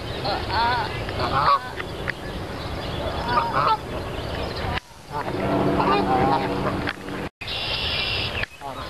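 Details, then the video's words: Wild geese at Dufferin Islands, Niagara Falls, give nasal, rising-then-falling honks in scattered bursts, with a break midway and steady background hum and murmur around them. "Husy / Geese"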